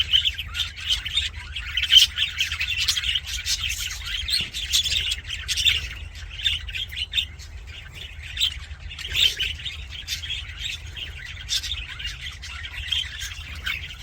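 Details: Aviary budgies chirping happily: busy high twittering and warbling fills the first six seconds, then thins to scattered chirps and squeaky calls with brief pauses, over a quiet low hum.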